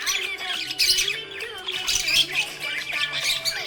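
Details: Happy pet budgerigar chirping in a dense, scratchy stream of warbled chatter and squawky notes, with steady background music running underneath throughout.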